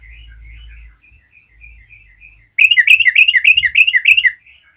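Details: Yellow-vented bulbul chattering to provoke other bulbuls: soft twittering notes over a low hum, then a loud, rollicking run of about seven bubbly, gurgling notes.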